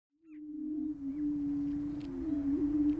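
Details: Prairie chickens displaying on a booming ground in Minnesota, USA: a steady, low, hollow booming drone that holds at one pitch, with small wavers, for the whole three seconds.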